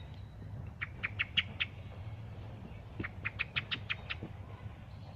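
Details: Thrush giving two bursts of harsh, clicking chack notes, each burst a rapid series of five to six dry, broadband notes, separated by a short pause, over a steady low rumble of background noise.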